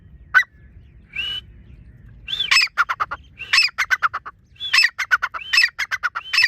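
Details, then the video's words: Dakhni teetar partridge opening with a sharp note and a whistle, then launching into repeated bursts of arched whistles followed by quick chattering note trains. "teetar ki awaz"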